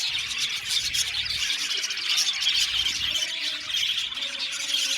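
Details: Budgie colony in an aviary: squealing, squeaky chirps and thin whistled notes over a dense background of chattering warbles from many Australian budgies.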